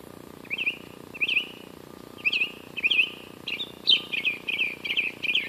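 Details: Wild bird singing beside Western Ave in Glendale, California, on an 84.9°F day: short chirpy warbled phrases, each a quick wavering twitter, delivered in bursts that speed into a rapid run of notes near the end.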